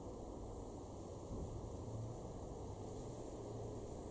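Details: Steady low wind and engine-like rumble outdoors, with no animal voices heard.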